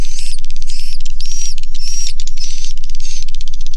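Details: Many swiftlets calling inside a swiftlet house. Harsh, buzzy twitters in regular pulses alternate with fast trains of sharp clicks, all over a steady low droning background.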